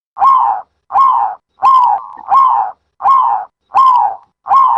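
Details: Dove call used to draw doves into a trap: steady series of short, slightly descending coos, about one every 0.7 seconds, one pair running together, with no other sounds.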